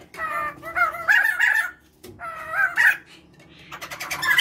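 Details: Pair of white-crested laughingthrushes, male and female, singing loudly, kept at home and used as a lure: rich harmonic whistled phrases with warbling rising notes, two bursts, then a harsh noisy chatter at the end.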